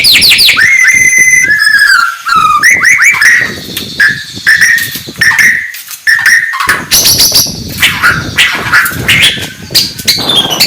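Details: Oriental magpie-robin (murai batu) morning song for agitating rivals: ringing whistled notes, a fast upward-sweeping series, then varied slurred phrases and later dense chattering.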